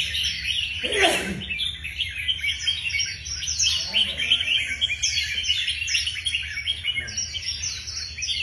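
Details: Red-whiskered bulbuls in cages, being trained for a competitive singing match, pour out continuous overlapping twittering phrases. The busy, bright chorus carries on throughout, with one broad knock early on.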